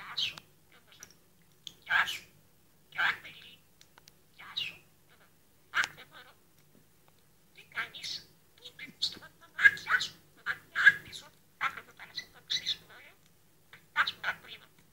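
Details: A pet budgerigar, recorded 20 May 2011, chatters in short, scratchy bursts of imitated Greek speech, mixed with chirps.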